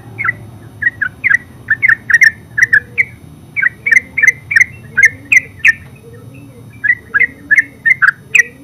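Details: Yellow-vented bulbul (terucuk) singing ngeropel: rapid bursts of gurgling, squawky chirps in tight pairs and triplets, a short pause, then further lively phrases, with low hum behind.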